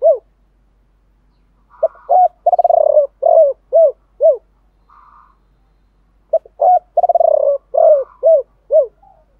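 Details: Two full cooing phrases from a decoy spotted dove in the 'gọi ba hậu' style, 'thổ pha' voice. Each has a short pip, a hoot and a long purring coo, then three bowed coos. A brief higher tone sounds between phrases.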